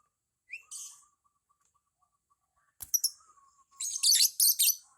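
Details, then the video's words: Lovebird practising ngekek, called decent for beginners: one early harsh chirp, a pause filled by a faint level whistle, then dense grating bursts packed together toward the end. "LOVE BIRD NGEKEK"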